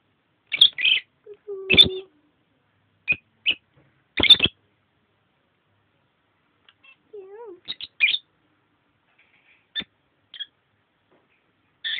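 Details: A female and male lovebird kept as pets, playing about at their nest, give scattered shrill, sharp squawks and short high chirps with long gaps between them, plus a couple of low, soft sliding sounds.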